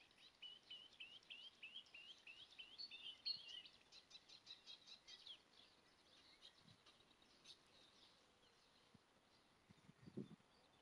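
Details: Marsh warbler singing on 23 May 2020 in Kreis Plön, Germany, after its spring return: a rhythmic run of repeated high rising chirps, then rapid clicking notes that fade, with a few low thumps near the end.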